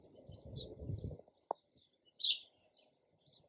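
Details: Single loud sparrow chirp amid softer high notes, following a patch of low rumbling noise and a sharp knock.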